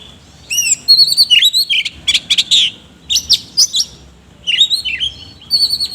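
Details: Oriental magpie-robin performing the ngobra song with rough fill-ins: whistled slurs followed by harsh rapid chattering bursts, a pause, then more scratchy notes and clear whistles toward the end.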